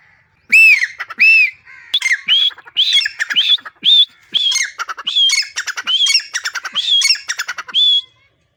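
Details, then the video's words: Black francolin song from a mango tree in a garden: two drawn-out wheezy whistled notes open a long, continuous series of scratchy rising squawks interlaced with clicking rattles, ending on a thinner held note. "teetar ki awaaz || teetar sound || teetar ki boli"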